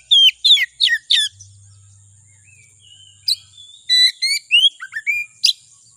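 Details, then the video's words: Oriental magpie-robin (kacer) lure song meant to provoke another kacer into singing. Four sharp descending whistled notes open, then a long thin whistle, followed by a string of crisp upslurred and downslurred whistles in uneven bursts. "Suara Pancingan Kacer Agar Cepat Emosi Gacor ! Pancingan Paling Ampuh Buat Menaikan Emosi Kacer"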